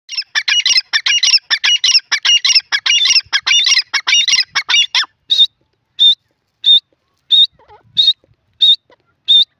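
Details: Grey francolin, known locally as teetar, calling: a rapid burst of loud, harsh, squeaky notes for about five seconds, then clear, high whistled notes repeated roughly every 0.7 seconds with short silences between them.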